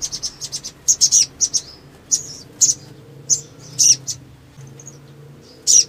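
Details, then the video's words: Ruby-cheeked sunbird in full song, played to excite other birds into singing: sharp, very high chirps and brief squeaky notes spaced irregularly, with a faint low hum behind. "SOGON GACOR NEMBAK PANJANG ‼️ PANCINGAN EMOSI CEPAT BUNYI GACOR"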